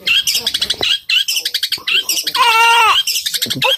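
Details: Captive long-tailed shrike in fighting mode: rapid, loud, scratchy chattering song of mixed harsh notes, broken by a long nasal wavering whine, with brief human speech nearby.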